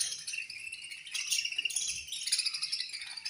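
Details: Budgerigar colony chirping at feeding time: a dense, continuous wash of high, scratchy chattering and twittering notes from many birds at once, rising and falling in intensity without pause.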